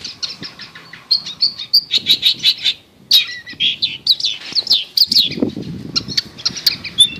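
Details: A long-tailed shrike in varied song, intended to coax a silent shrike back into singing; a busy mix of high chips, short slurred whistles and scratchy notes, broken by a brief pause, with faint low rustling underneath.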